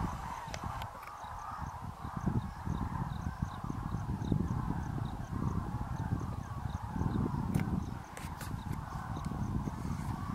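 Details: Evening departure of tens of thousands of Common Cranes from the dried grassland of the Great Rann of Kutch, January 2013; steady massed trumpeting chorus over heavy low rumbling and scattered sharp clicks.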